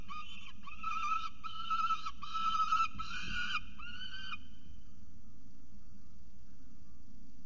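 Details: Peregrine falcons at the nest, Orange, New South Wales, 18 November 2022, on a nest camera, two birds playing rowdily: five or six drawn-out, harmonic wailing notes in quick succession, then fading to a steady low hum.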